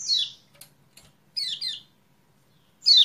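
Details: Lemon-bellied White-eye, known locally as kecial kuning, recorded as a lure for a reluctant singer: bright descending chirps at the start, a close pair in the middle, another loud chirp at the end, soft clicks between.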